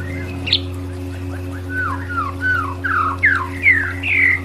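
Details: White-rumped shama song used as therapy audio for stressed birds: a run of clear slurred whistles, each note dropping in pitch, rising in loudness toward the end, over a steady low electrical hum.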